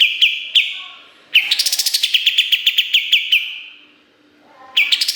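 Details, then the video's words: Kapas tembak singing energetically for a songbird training recording. Sharp whistled shots repeat, then a long rapid rattle of crisp repeated notes runs for over three seconds before a fresh burst starts. "Masteran Kapas Tembak Gacor Nembak Isian Tajam Full"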